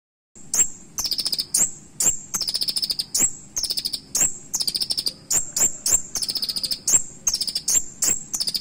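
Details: Purple-throated sunbird (kolibri ninja) singing a sharp, shooting fill-in song style (isian tajam, nembak) suited for tutoring other birds: very high thin whistles alternating with quick bursts of four to six rapid ticking chirps, nearly continuous over low background hum.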